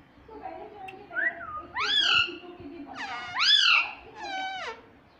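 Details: Pet Indian ringneck parrot talking, said to say mummy and papa; several rising-falling vocal phrases in close succession over a quiet background.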